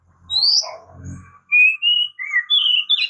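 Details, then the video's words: Oriental magpie-robin, called murai kampung or kacer, giving a high rising whistle, then a series of steady clear whistled notes at slightly different pitches, with low humming noise at the start. "Oriental Magpie Robin Singing | Suara Burung Murai Kampung | Bunyi Kacer"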